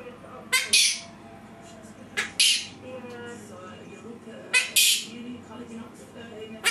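A monk parakeet imitates human sneezes: sharp, hissy two-part bursts repeated every two seconds.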